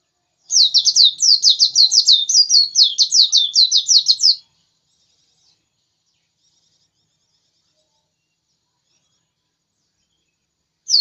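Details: Persistent white-eye song, a four-second stream of rapid high twittering notes, sharply repeated, then a long silence before another burst begins at the end.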